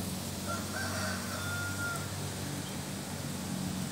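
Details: A rooster from Kalimantan, Indonesia, gives a drawn-out crow over a steady low rumble.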